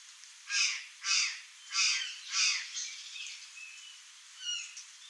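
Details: Curl-crested jay, known in Brazil as gralha-do-campo or gralha-do-cerrado, giving four loud harsh, raspy calls about half a second apart, followed by softer chirps and whistles from other birds in the background.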